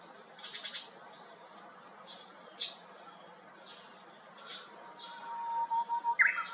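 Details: Japanese bush warbler singing from a hiba tree by an empty neighbouring house, 7 May 2021, returning to the treetop after a brown-eared bulbul left; a long steady whistle ends in a sharp, louder note, with faint high chirps from other birds throughout.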